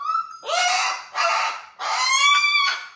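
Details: Pet cockatoo indoors, screeching in three loud harsh bursts of about a second each, with a rough buzzy tone and gaps between calls.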